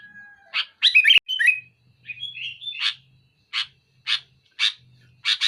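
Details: Sooty-headed bulbul song said to pressure a rival, loud and dense: a sharp whistled phrase then fluttering notes, followed by a run of short harsh bursts repeated about every half second.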